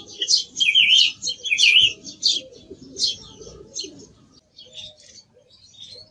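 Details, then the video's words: Song thrush giving a loud run of high whistled and scratchy notes that fades toward the end, over a steady low rumble. "Sonido del Zorzal Comun - Sturz cantator - TURDUS PHILOMELOS"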